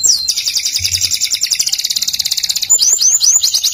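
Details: Canary singing, a masteran recording for tutoring other birds: a long rapid buzzy trill of repeated high notes, then a run of swooping downslurred whistles near the end.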